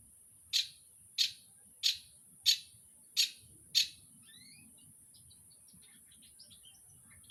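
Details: Long-tailed shrike uttering six harsh, short, rasping notes spaced about two-thirds of a second apart, followed by faint quiet twitters, with a steady high-pitched electronic whine in the background.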